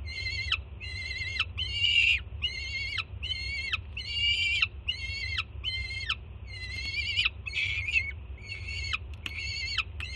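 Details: Jersey City nestcam, 24 June 2017: a juvenile female peregrine falcon greets her mother delivering breakfast with rapid, evenly spaced harsh screams, roughly two per second, each flat and raspy then dropping sharply at its close, over low mechanical hum.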